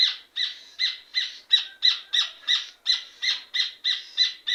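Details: Rufous hornero, or red ovenbird, singing: loud, harsh repeated notes about three per second, each a ringing burst with a strong upper band, in a steady, slightly uneven rattling series.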